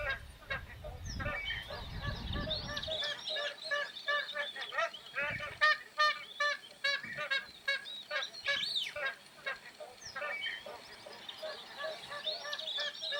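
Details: Magpie geese honking in an uneven series of loud, ringing, nasal notes, some rising into brief higher squeals, with low rumbling noise during the first few seconds.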